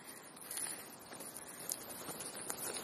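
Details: Rooks visiting a park as winter approaches. Harsh, hoarse caws come in short bursts, roughly five over three seconds, with steady background hiss.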